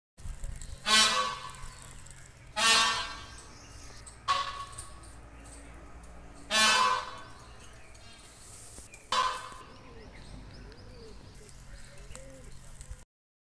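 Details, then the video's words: Indian peafowl (peacock) gives five loud, nasal, trumpeting wails about two seconds apart, each a harsh brassy blare, with softer bird notes and faint hum between. "Mor ka Awaaz"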